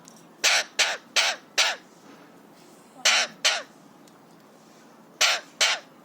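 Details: A happy, excited 3-year-old Alexandrine parakeet gives harsh, raspy screeches: a quick run of four, then two pairs, each short and loud, with faint background murmur between.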